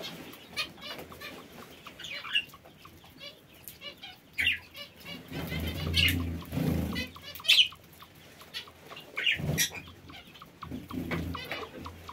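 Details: Parakeets in an aviary produce repeated short, scratchy squawks and chirps at irregular intervals, mixed with wing beats, rustling and low-pitched thumps.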